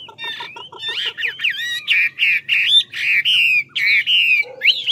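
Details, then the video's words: Chinese hwamei from Lạng Sơn, Vietnam, in fighting song: a few low pulsed notes, then loud clear whistled phrases, each rising or falling, repeated about once a second, ending with an upward sweep. "Mi ngũ trường to đẹp hót dẻo"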